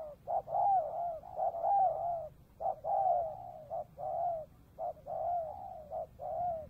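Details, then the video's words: Spotted dove calling one afternoon at a trap site by the Cambodian border, a steady run of loud, hollow, slightly falling coos in rapid overlapping phrases, roughly one per second, with no other clear sounds. "Cu gáy | bắt bổi chiều biên giới cambodia"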